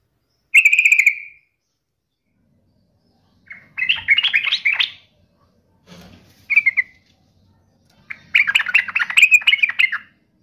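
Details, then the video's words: Yellow-vented bulbul singing to provoke rival bulbuls: a brief bright trill, then a scratchy jumbled phrase, a short clear chirp, and a longer busy warbling chatter, with faint low noises between phrases. "7 macam TOP SUARA trucukan gacor seperti ini dijamin bikin trucuk manapun nyaut emosi ngamuk"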